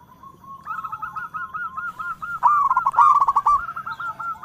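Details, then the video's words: A local zebra dove sings eagerly, calling in all directions. A soft, steady purring coo builds into a louder run of quick, rhythmic rolling notes, fast and fluttering. No other sounds stand out. "Perkutut Lokal gacor suara merdu memanggil Keseluruh Arah"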